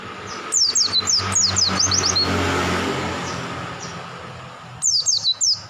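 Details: Oriental white-eyes of the forest type, several birds singing actively: bursts of thin, high, downslurred chirps in quick runs, a pause, then another burst, over steady vehicle rumble.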